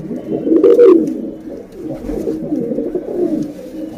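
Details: A female pigeon's call, used as a lure to attract males: low, throaty coos in soft rolling bursts, with a louder one near the start and quieter ones following.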